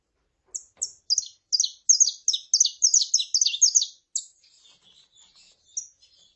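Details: Saffron finch, female calling and male singing: two opening high notes build into a dense, quickening string of bright descending chirps lasting about three seconds, trailing off into soft twitters and a last clear note.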